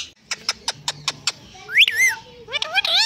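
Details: Pet Indian ringneck parakeet talking: a series of six quick dry clicks, then slurred, wavering, speech-like warbles rising and falling in pitch.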